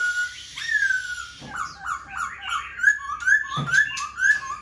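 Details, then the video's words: Black-throated Laughingthrush, a caged sale bird spreading its tail and wings. A long sliding whistle leads into a brisk chain of short whistled notes, nearly three a second, with a few brighter accented ones. "Khướu bạc má VIP đuôi xòe, múa cánh giọng cực hay"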